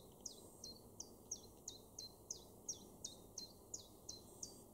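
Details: Garden chiffchaff at Weener in East Frisia, northwestern Germany, recorded July 2023: steady series of bright, sharply descending high notes, about two per second, over faint background hiss.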